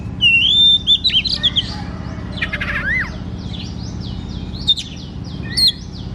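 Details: White-rumped shama, a caged bird used as a lure to prompt a reluctant shama to sing: varied song of clear whistled notes near the upper range, sliding phrases and short buzzy bursts, over a steady low hum.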